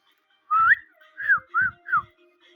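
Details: Talking ringneck parrot at home producing four short whistled notes, the first sliding upward, the others arched and falling, each paired with a faint husky low tone, in a quiet indoor room.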